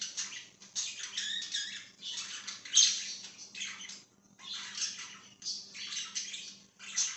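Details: Budgerigar warbling in a run of raspy, buzzy phrases separated by brief pauses, with one sharp squeak near the three-second point and a steady low hum in the background.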